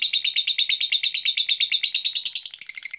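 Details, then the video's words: Lovebird singing, used as a lure to set other lovebirds singing: a rapid, steady stream of high, buzzy chirps, about seven per second, shifting higher and thinner toward the end, with no other sounds. "Suara Burung Lovebird Ini Bisa Memancing Suara Lovebird lainnya Supaya GACORRRRR"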